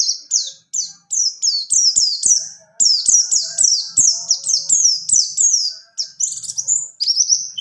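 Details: Mountain white-eye (pleci buxtoni) rolling song used as a tutor for training other birds and for birds that stop singing: fast series of high, clear descending whistled notes repeated about twice per second, with faint clicks beneath.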